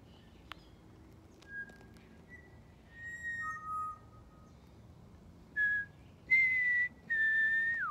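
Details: Pied butcherbird at Griffith Pioneer Park Museum on World Listening Day 2023, trading phrases with a person. Clear whistled notes, some long and level, others short, ending in a held tone that slides downward, with sharp clicks between them.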